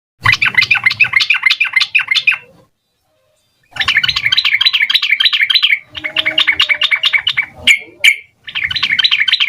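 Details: Sooty-headed bulbul song in rapid 'ropel' style with full varied phrasing, used as a lure to make young bulbuls answer quickly: bursts of fast, bright chirping notes about three per second, broken by a clear pause and brief single notes.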